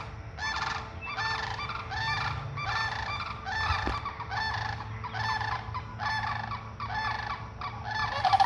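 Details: Sandhill cranes making noise while ducks feed nearby: a continuous chorus of rolling, rattling bugles pulsing about once a second, with a low background hum.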